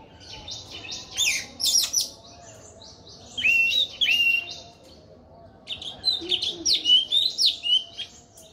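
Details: An orange-headed thrush sings energetically in three bursts of varied whistles and warbled slurs, each a second or two long, separated by brief silences, with faint background noise.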